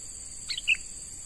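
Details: A brief clipped double chirp from a young wild sooty-headed bulbul under training as a lure bird, a quick high note followed by a fuller one, with a persistent high insect drone.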